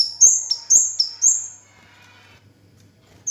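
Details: Orange-headed thrush singing a fast run of four high, sharp, downslurred whistles that each drop steeply, then a pause with a faint hum and a lone note at the end. The bird is kept in Indonesia.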